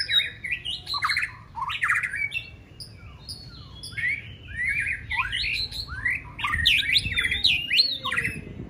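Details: Contest-trained white-rumped shama singing during practice for a singing competition, delivering fast, tumbling phrases of bright whistles, sharp upslurs and chattering notes in a nearly continuous, varied stream.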